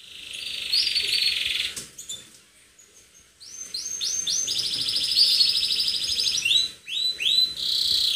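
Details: Canary singing vigorously in an aggressive, attacking manner: loud high trills and rapid repeated rising notes in long bursts, a brief pause near two seconds, then a sustained buzzy rolled phrase and more quick upswept notes.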